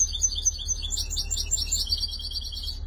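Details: European goldfinch from Tunisia, labelled shantour, 2020: an unbroken, rapid stream of high, liquid twitters and buzzy trills, busy and tumbling, ending abruptly, with a low steady hum beneath.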